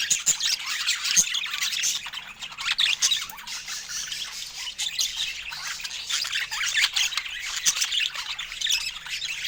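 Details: Budgerigars kept as pets chatter through fruit time with fast, scratchy warbling, frequent clicks and occasional louder shrill chirps.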